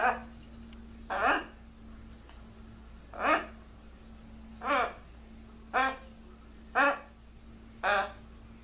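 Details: Well-trained pet blue-and-gold macaw greeting with spoken words such as "hello" and "what's up". Six short, arching, voice-like utterances come roughly every second against a low steady hum.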